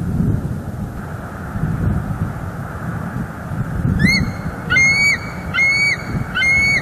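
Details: Wild bald eagles, a male and a female, at their nest in Northeast Florida, December 18, filmed by a nest cam. After quiet hum, four bright squealing notes sound in quick succession, roughly one per second.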